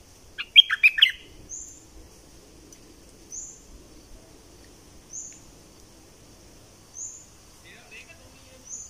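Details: Southern Thailand bulbul, double style, opens with a short burst of rapid chirps, followed by a thin high note repeating about every two seconds and a faint closing chirp.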